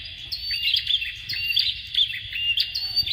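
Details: Bar-winged prinia (ciblek), male and female, giving a fast, unbroken run of sharp, high chirps and short rising whistles, several notes each second, with no other sounds.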